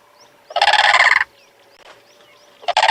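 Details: Blue Crane at sunrise on 13 February 2022, two birds calling back and forth in alternation: a loud, raspy, rattling call under a second, a second call moments later, faint high thin whistles from other birds between.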